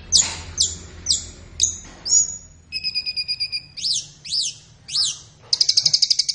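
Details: Flowerpecker song for training captive birds in the morning or afternoon: five high downslurred chips, a steady pulsed tone, three arched squeaky notes and a closing rapid high trill.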